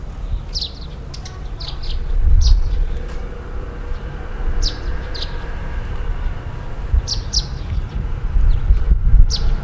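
Russet sparrow giving short, high chirps in scattered bursts, a few closely paired, over a steady low rumble like distant traffic or wind.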